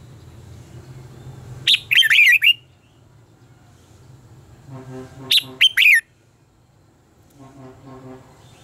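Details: Fighting song of a red-whiskered bulbul, played to stimulate birds to sing. Two energetic bursts of slurred, looping whistles about three seconds apart. Low rumbling background with faint harmonic tones between phrases.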